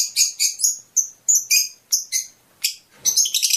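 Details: Fischer's lovebird chirping to encourage mating, giving a series of sharp, piercing high notes, each about a fifth of a second, with a brief pause before a final quick twittering flurry.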